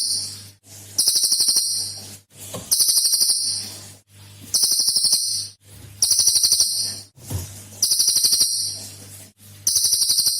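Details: Cililin song used as a lure to set other birds singing. High, buzzy pulsed trills of about a second each come in repeated bursts with short pauses between them. Fainter ticking notes fill the gaps.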